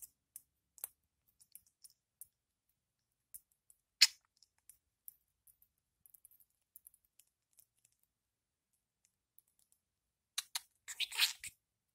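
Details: Sparse sharp clicks and light tapping sounds come and go against near silence. A brief cluster of louder rattling taps near the end, but no calls or vocal sounds.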